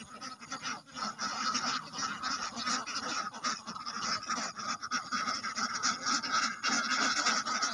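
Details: Ducks, including drakes, quacking together as a flock: a dense, unbroken wall of harsh nasal quacks and honking notes overlapping with no pauses, loud throughout.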